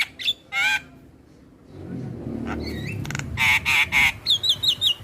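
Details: Starling lure song meant to make silent starlings answer: scattered harsh, grating notes, a pause with low rumbling, then rapid rasping bursts and sharp high whistled slurs.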